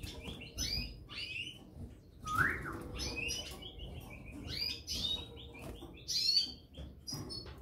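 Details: A pair of European goldfinches twitter in quick bursts of bright, high chirps and tinkling notes, several clusters over a few seconds, with a low background hum.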